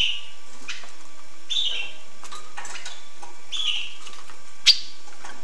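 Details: Hooded siskin singing: bursts of buzzy, twittering notes at the start, middle and near the end, scattered soft clicks, a sharp knock near the end, and a steady hiss throughout.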